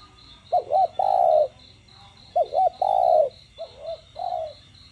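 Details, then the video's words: Spotted dove cooing in the đồng gù voice with a thúc note, used to get other doves calling: two full phrases of two short notes plus a long coo, then a shorter softer phrase, over rhythmic high chirring. "Cu gáy GIỌNG CHUẨN ĐỒNG GÙ + THÚC kích mồi tập bổi căng lửa. tiếng cu đất gáy"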